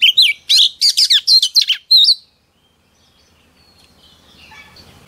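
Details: Whistled and buzzy phrases from a female Oriental magpie-robin, sung to excite male birds. About two seconds of quick varied notes, then silence with faint background hiss.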